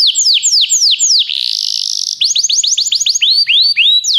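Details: Belgian canary singing loud arched downward sweeps, a brief smooth buzzing roll, then quicker hooked and rising whistles in close succession.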